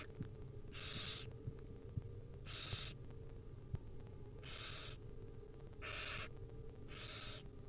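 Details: Hungry wild barn owl nestlings being fed small bits by their mother, letting out five harsh, breathy hissing screeches, each about half a second long and spaced irregularly, over a low steady background hum.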